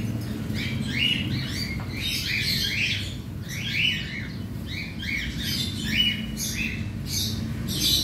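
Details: Cockatiels, about a hundred kept together in a colony aviary during daily cage cleaning, give a dense chorus of short rising-then-falling whistled squawks that overlap constantly, with a low rumbling background hum throughout.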